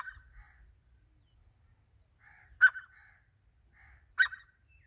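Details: Grey francolin, or teetar, uttering short harsh notes, the two loudest about one and a half seconds apart, preceded by softer grating sounds.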